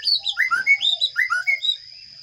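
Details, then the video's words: Baby sparrows begging as a parent feeds them inside a nest box, recorded by a camera placed there: about a dozen quick, rising-and-falling chirps in a busy burst, then near silence, with a constant thin high tone behind. "Sparrow bird feeding baby chicks in nest box"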